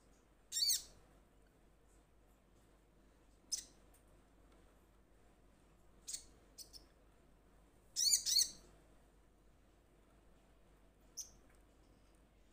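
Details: Sparse, sharp high chips from a ruby-cheeked sunbird calling to companions, single or doubled notes spaced a few seconds apart over faint background hiss.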